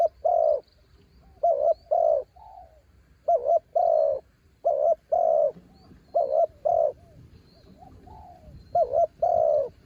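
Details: A spotted dove decoy calls to draw wild birds in strong wind. Mellow low coos repeat in a steady run of phrases, each a stuttered double hoot leading into a longer, even coo. A few softer notes fall between them.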